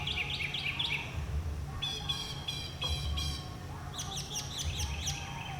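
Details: Northern Mockingbird singing many different songs near a community: a quick chirped phrase, then a series of rasping, broad chattering notes repeated four times, then a different run of sharp high notes, switching types every second or two.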